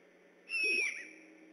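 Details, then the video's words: Decorah, 3 October 2015, at night: a great horned owl on alert near an eagle nest gives a single thin whistled note that slides slightly downward, with a rough edge, lasting roughly half a second. "Vocal GHO Visit"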